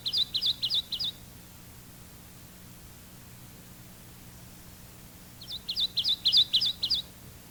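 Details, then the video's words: Kentucky warbler male giving a two-noted, repetitious chiree song, a musical whistle with a lively bounce: two bursts of five to six rapid clear phrases separated by about four seconds of quiet hiss. "Our third two-noted vocalization is the song of the Kentucky warbler. Listen to his repetitious chiree, chiree, chiree, chiree."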